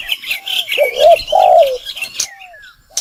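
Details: Spotted dove recording used as a lure for trapping: low, hoarse, arched coos in a short cluster around the middle, with thin descending whistles and a steady high whine from other birds.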